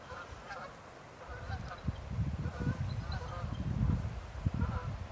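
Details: Geese honk in scattered, irregular bursts amid ducks on a fine April 19, a week after Easter, with eagles nearby, over a low rumble of wind or water.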